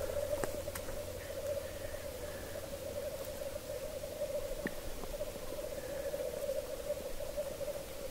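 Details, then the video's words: Black grouse males lekking about one kilometre away at the edge of a bog, at 3:30 am in Hedmark, Norway: a steady, unbroken, dovelike bubbling rookooing chorus, with faint higher hisses and calls rising now and then. "Black Grouse lek - Birkhuhn Balz"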